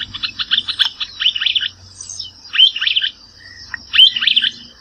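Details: Streaked Flycatcher, subspecies solitarius, from the Brazilian Cerrado: loud squeaky phrases of rapid high notes, several bursts in quick succession, with a steady high insect whine behind.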